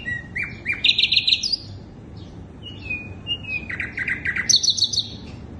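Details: Sikatan londo flycatcher lure song, with sharp downslurred whistles leading into buzzy trilled phrases, a pause, then level whistles and another rapid high trill ending the phrase; quiet background.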